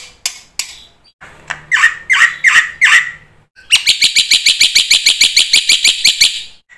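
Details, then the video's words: Black-winged myna singing to coax quiet birds of its kind into song: a few sharp clicks, then four slurred, falling whistled notes, followed by a fast run of loud, harsh, rattling chirps. "suara burung jalak putih GACOR FULL ISIAN ampuh buat MASTERAN PANCINGAN jalak macet bunyi AGAR GACOR"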